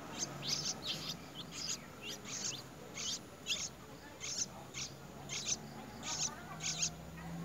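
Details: A white-browed bird feeds its young with a large insect it has brought; quick clusters of high, scratchy twittering chirps come in bursts about every half second throughout, with a low hum and faint hiss behind.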